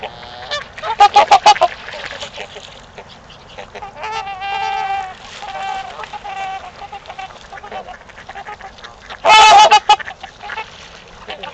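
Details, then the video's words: Trumpeter swans calling at mating time in Gallup Park, Ann Arbor, Michigan: a brassy honking chorus with a drawn-out trumpeting note in the middle and a sudden loud burst near the end, over a steady low background hum. "Trumpeter Swans @ Gallup Park Mating Time"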